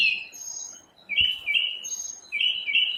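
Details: A single unidentified bird singing in the morning, producing several different sounds on its own: drawn-out whistled notes around mid-high pitch in two bursts, with a faint higher note between them.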